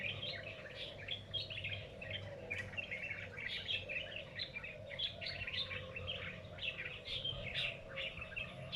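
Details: Midday in a lychee garden, an unknown bird chatters with continuous bursts of sharp, high twittering notes, layered over a constant low drone.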